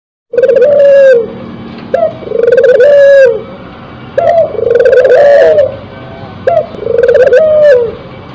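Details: Spotted dove in breeding condition singing: loud coos near 500–700, each phrase opening with a short rising note then a long wavering trill, repeated about every two seconds, four phrases.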